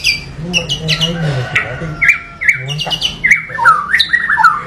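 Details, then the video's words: White-rumped shama in rough varied song: clipped chattering notes, harsh squawky bursts and short whistled slurs in quick, irregular succession, over a steady low hum. "MURAI BATU Full Tembakan Variasi Kasar Mewah bikin murai batu lain emosi"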